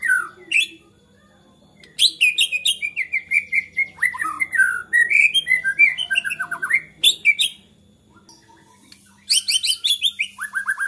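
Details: Agitated white-rumped shama in full song, said to set other shamas singing: bursts of sharp rising chips and loud whistled, descending notes, a pause of about a second and a half, then another rushed run of chips and whistles; faint low hum behind.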